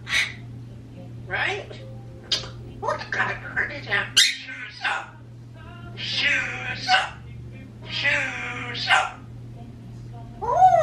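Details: Two pet parrots, a 26-year-old African grey and a 16-year-old Quaker, left alone indoors, produce rapid speech-like babble mimicking words such as 'Hello' and short phrases, broken by squawks and a final rising whistle.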